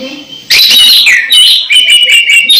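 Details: Orange-headed thrush close to its moult keeps singing strongly: after a soft start, a loud rush of bright whistles and twittering trills follows without a break.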